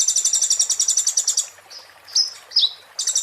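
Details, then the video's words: Kolibri ninja 'muntah beling' phrase used as tutor material: a rapid, shrill pulsed trill of about one and a half seconds, then a few sharp descending slurred notes before another trill begins. "master konin muntah beling"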